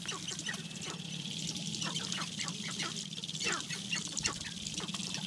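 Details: Spring lek of sharp-tailed grouse in Wisconsin's Namekagon Barrens, where males battle over dancing areas: quick chattering clucks and short cackles tumble over one another above a continuous low rattling drone.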